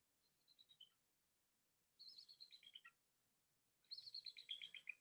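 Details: Bald eagle (Haliaeetus leucocephalus), a winter bird in Ohio, giving its squeaky-toy call: three bursts of thin, high, squeaky chittering notes, each tumbling downward in pitch, about two seconds apart and growing louder.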